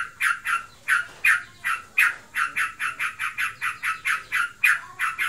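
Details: Captive sooty-headed bulbul, reportedly in breeding condition, giving fast ngebren chatter: slightly uneven, scratchy notes repeated rapidly, a few standing out louder and sharper than the rest.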